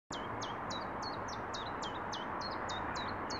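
Common chiffchaff singing a quick series of about a dozen high, down-slurred notes, roughly three or four a second and slightly varying in pitch, over steady background noise.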